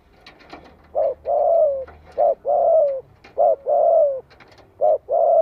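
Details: Spotted dove calling to draw replies from other doves: three repeated couplets of a short soft hoot and a long descending coo, with scattered faint clicks in the background.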